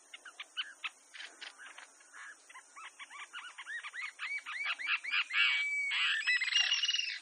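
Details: Bronzy jacamar in Brazil singing a series of short upslurred whistled notes that start sparse and quiet, then speed up and grow louder into a dense, rapid run ending in longer ringing whistles.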